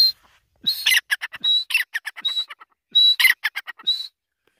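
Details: Grey francolin calling; loud, ringing high whistle followed by a rapid series of sharp clipped notes, the sequence repeated twice with a clear whistle between, against silence.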